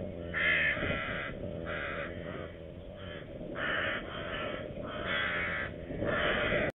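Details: Red-footed falcon at a nest with two chicks still present, Hungary, 27 June 2020, gives harsh, grating calls in bursts of about half a second, repeated steadily with short pauses, over a low background rumble.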